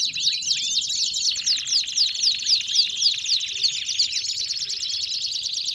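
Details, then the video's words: Belgian canaries singing together: a dense, continuous high chorus of rapid trills and quick repeated downward-sweeping notes, about four per second, with overlapping twittering phrases throughout and no other clear sounds. "CANÁRIOS DO REINO CANTANDO!!! BELGIAN CANARY SINGING!!!"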